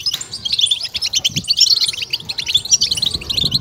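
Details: Goldfinch 'betbeta' singing meant to stimulate kept birds: rapid, bright chirps and short trills packed closely together in a continuous high, jangling stream.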